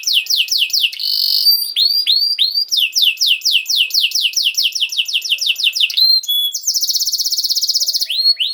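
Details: Canary song for young canaries to learn from: quick runs of downward-sweeping whistled notes, a short buzzy phrase, a brief clear note, and a fast high rattling trill.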